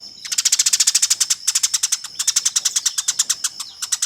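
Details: Agitated fighting Eurasian tree sparrow, a master recording for contest bird training: nearly continuous rapid, buzzy chirping chatter lasting the whole four seconds with only tiny breaks.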